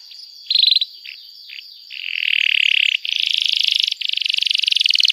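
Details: Canary song for young birds learning to sing: short high chirps, then long loud buzzy rattling trills with brief breaks, clean with no background noise.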